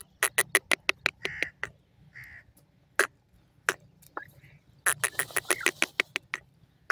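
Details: Female partridge speaking from a cage: bursts of quick, sharp chucking notes interrupted by short nasal buzzy tones. A scattered middle section gives way to a renewed dense volley of clicks near the end.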